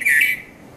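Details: At Mount Lavinia, Sri Lanka, between 5:30 and 5:40 a.m., a Red-vented Bulbul gives a single clear whistled note of about a third of a second, falling slightly in pitch, followed by quiet background.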